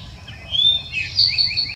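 An Eastern towhee sings a clear whistled note, then a quick run of higher, ringing notes, over a faint low background hum.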